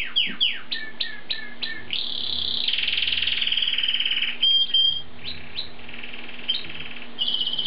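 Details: Asian pied starling singing a series of quick descending whistled notes, then a long buzzy, grating passage and more whistles, over steady background hiss and a low hum.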